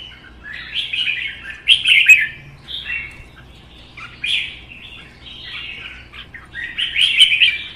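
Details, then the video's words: Competitive song of caged red-whiskered bulbuls, including a wild-caught bird kept for one season: three separate bursts of cheerful slurred whistles spaced over several seconds, quiet between, with a soft background hum. "CHÀO MÀO | Hót đấu kích ché"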